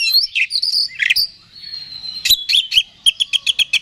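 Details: Oriental magpie-robin (kacer) singing to provoke a rival: a few buzzy whistled notes, a long steady thin whistle, then rapid evenly spaced sharp chips.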